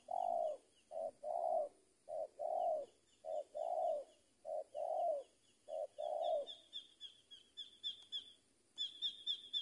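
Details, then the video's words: Spotted dove used as a lure bird, repeating low paired coos steadily, while a higher thin whistled trill from another bird runs alongside toward the end. "AJARAN PIKAT TEKUKUR SI BONGSOR KETEMU BL RAJA NGUKU"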